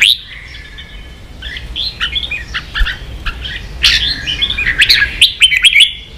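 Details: Competing red-whiskered bulbul kept as a songbird in Vietnam: ringing whistled notes and quick trills, growing louder and faster toward the end with a rapid run of sharp chips.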